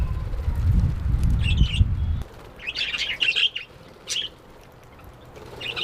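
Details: A pet budgerigar giving short, scratchy warbled chirps in quick bursts after a low fluttering rumble.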